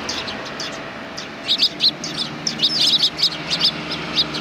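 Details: Group of sparrows coming to meet a walker on 7 April 2020, among them one with a hurt leg; quick sharp high chirps in rapid clusters after a second of hiss, over constant low rumbling background noise.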